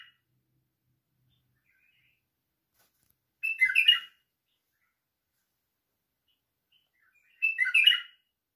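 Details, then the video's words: Two brief, emphatic whistled phrases from a white-eared bulbul, about four seconds apart, each a quick cluster of bright, jumbled notes amid silence. "تالق البلبل السيحاني"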